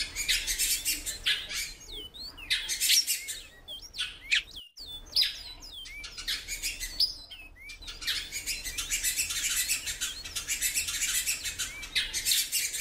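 A female Great-billed Seed-finch gives frequent short, high, slurred whistled calls, a few each second, over a steady hiss of other small birds chattering.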